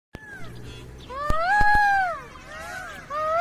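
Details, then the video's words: A peacock gives a loud, drawn-out nasal wail that rises and falls, then starts another at the end, with a few sharp knocks and a faint background hum; other birds are also present. "peacock and bird sounds"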